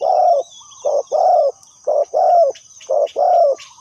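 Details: Decoy spotted dove used to lure wild doves into a trap, calling loud rolling coos, each brief clipped note followed by a drawn-out falling coo, about once a second; a high insect-like whine runs throughout.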